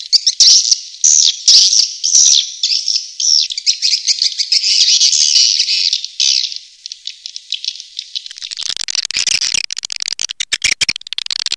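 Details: Swiftlet call meant to attract swiftlets: a long, grating buzzy screech with pulsing texture, shifting into fast rattling clicks and harsh chatter toward the end.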